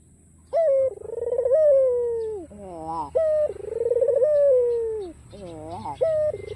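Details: Persistent cooing by a white, black-collared ringneck dove from Kalimantan meant to invite rival birds to call: throbbing, descending coos repeated about every two and a half seconds with short falling notes between.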